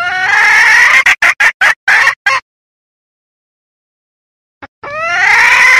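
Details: Red junglefowl hen calling, a lure sound for trapping wild roosters: a drawn harsh note breaking into rapid clipped clucks, a long silence, then the drawn note starting again.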